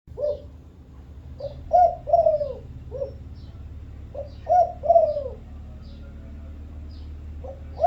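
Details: Spotted dove of the Thai vân rồng type, cooing in low, mellow phrases: a soft note, a stronger coo, then a long descending slurred coo and a short closing note. The phrase repeats about every three seconds with a faint low hum behind it.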